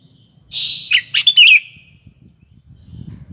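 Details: Sooty-headed bulbul, a lively singer used as a lure for morning, afternoon and night, giving one brief burst of bubbly, slurred notes with a short rising-falling flourish, then a faint high tone and low background rumble.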